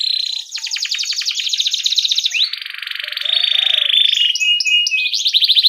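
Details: Rolling cuit-cuit canary song recorded as a master to teach young canaries: unbroken high trills that shift speed and pitch, one buzzy stretch followed by a bright rattle, faint low chirps underneath.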